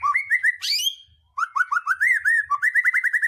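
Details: White-rumped shama song aimed at provoking other birds to sing: rhythmic repeated whistled notes, a brief harsh buzzy burst, then a fast series of even slurred whistles.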